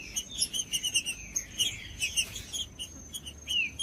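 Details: Green-winged saltator singing, a recording meant to warm up other saltators and train young birds: fairly faint, quick descending whistled slurs and short chirps in a run, over a thin, steady high whine.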